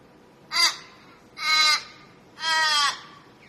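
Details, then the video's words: Three rasping crow caws about one second apart, the first short and clipped, the next two longer and fuller, against a still, quiet setting. "CROW CAWING"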